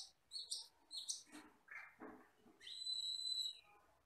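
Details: Common hill myna, a shy forest bird described as black with red eyes and able to whistle, giving a mix of short high chirps, a harsh burst and a long steady whistle held near the end.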